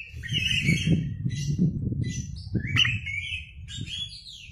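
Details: {'text': 'Kacer (Oriental magpie-robin) singing and displaying its fanned tail, lure recording: sustained wavering whistles and scratchy notes laid over a loud, steady low rumble.'}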